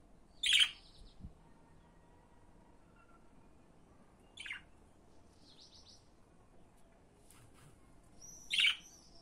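A budgerigar gives a few sharp, high chirps, spaced several seconds apart over a quiet background.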